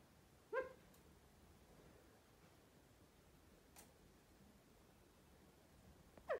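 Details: Pet male California quail standing on his owner's arm indoors calls to his sister with two short, soft, slightly nasal notes, one at the start and one at the end.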